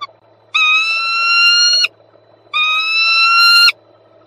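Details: Peregrine falcon at its nest in Słupsk, Poland, 26 March 2022: a pair of long, steady, harmonic wailing calls, about a second and a quarter each, with a gap of under a second between them.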